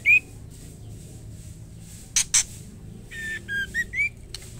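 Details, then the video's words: One harsh upslurred note from a female white-rumped shama calling the male, then two loud clicks, then a quick string of rasping squawks and a final rising note. "murai batu betina gacor memanggil jantan white rumped shama"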